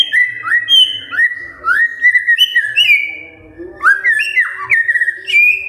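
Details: Magpie-robin morning song, used as a bait to set silent magpie-robins singing: a rich run of clear whistled phrases, sliding up and down, with sharp chips and quick trills. A low, soft murmur sits underneath.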